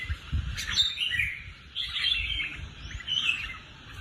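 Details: Competition-trained caged red-whiskered bulbul gives bright, bubbling warbled phrases, three clear bursts separated by short pauses, above faint low-pitched noise.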